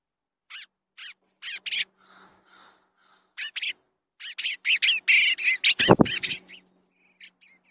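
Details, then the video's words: Eastern bluebird at its nest, captured by a nest camera: scattered short chirps at first, then a quick run of warbled, down-slurred notes, with a loud thump near the end. "Eastern Bluebird nest cam"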